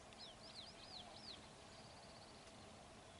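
Four quick, high, arched whistled notes from a pied bush chat, followed by a fainter rapid trill, over a steady low background rumble.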